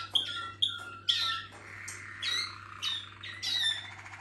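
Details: Malinois Waterslager canary song with sharp high ringing notes, then bubbling, warbling phrases that rise and fall, with a constant low hum in the background.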